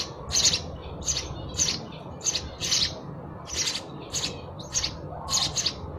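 Sparrows chirp in short, bright bursts, roughly one or two a second, over a steady low background hum.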